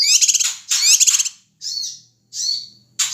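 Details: A male Ashy tailorbird from Sumatra makes noisy calls meant to provoke other birds. Two rapid stuttering rattles are followed by drawn-out, buzzy, slightly falling notes separated by short silences.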